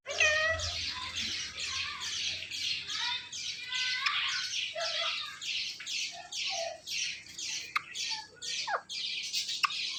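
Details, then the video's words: Two pet parrots, a male teasing a female, chattering in a dense stream of harsh squawky bursts, several each second, broken by a few short whistled notes and sharp clicks, with no pauses throughout. "Two Parrot Talking"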